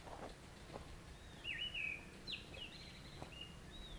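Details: Grey-winged Blackbird calling at summer-monsoon time in a western Himalayan forest at Jabbarkhet botanical collection, India, among flowering torch lilies: soft whistled phrases with slurred, warbling notes, several short phrases over a few seconds, with faint background hiss and low rumble.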